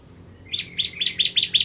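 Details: Bar-winged prinia, known as ciblek kristal, singing vigorously on a master recording for tutoring cage birds: six sharp, high chirped notes in quick, even succession after a faint lead-in.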